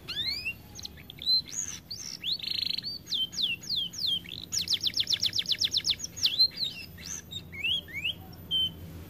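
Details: Overweight canary, reportedly lazy about singing, performing a lively string of slurred whistles, a brief rasping note, then a fast even trill of about a dozen repeated syllables and more quick chirps, very little other noise.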